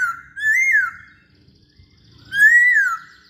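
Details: Masked laughingthrush singing as a lure for other songbirds: two long, clear whistled phrases that rise and then fall, separated by a pause of over a second.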